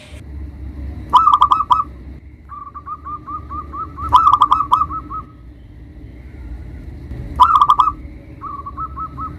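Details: Local zebra dove cooing to provoke rivals: three loud short cooing bursts about three seconds apart, each followed by a softer trailing series of quick, evenly spaced notes, low background hum.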